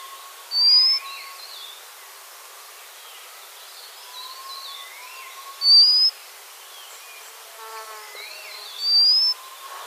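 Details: White-crowned redstart repeating its thin, rising, high-pitched whistle three times, roughly every four seconds. Softer warbles, low sliding notes and a short buzzy call from other birds fill the gaps against constant hiss.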